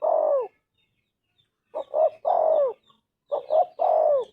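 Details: Spotted dove, tekukur, giving its anggungan song in the gacor style: three cooing phrases, each two short hoarse coos followed by a longer drawn-out coo that falls at the end, separated by pauses.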